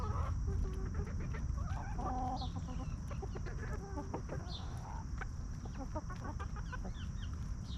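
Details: Free-range hens scratching and feeding in a backyard yard give scattered soft clucks and brief higher notes over a loud, constant low background rumble.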